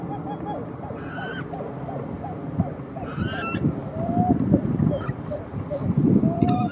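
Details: Pied-billed grebe calling: a rapid run of short, hollow repeated notes for about a second and a half, then a few slurred whistles, all over a steady low rumbling background.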